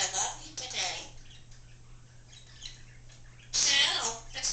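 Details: Talking female Congo African grey parrot indoors, known to say oh oh oh bird and hi bird; two loud voice-like phrases open and close the passage around a quiet gap, over a low electrical hum.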